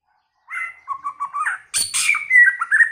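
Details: A white-rumped shama sings in many voices: a short run of bouncing mid-pitched whistles after a pause, then a scratchy high burst and a long, bright whistled note followed by quick warbling notes.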